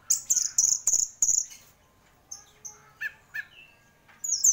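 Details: Orange-headed thrush, a champion songbird, opening with a quick series of five or six bright chirps, followed by scattered softer whistled notes and a final loud burst.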